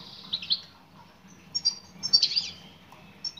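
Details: Female European goldfinch calling for a male. A few brief, high, tinkling chirps come in two short bursts, the second louder, with quiet gaps between.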